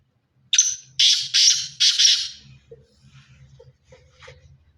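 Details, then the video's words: Black francolin of the pure Sindhi strain calling once with four raspy, strident notes, then quiet short clicks and soft low murmuring in the background. "pure Sindhi Kale teetar Ki Awaaz"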